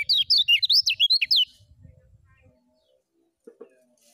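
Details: Lemon-bellied white-eye in full 'ngejos' song: about ten rapid, high, zigzag whistled notes in a burst of one and a half seconds, fading to quiet low rumble and a couple of soft notes.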